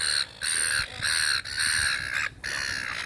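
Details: Seagulls being fed in a park: loud harsh squawking calls in long drawn-out bursts of about half a second, repeated with short gaps, several birds overlapping.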